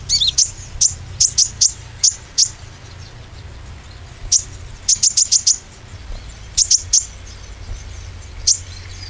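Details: Very high metallic chirps of an olive-backed sunbird, a lure to stimulate young green-plumaged and spotted birds to sing; fast bursts of five or six notes separated by pauses, over a low steady hum.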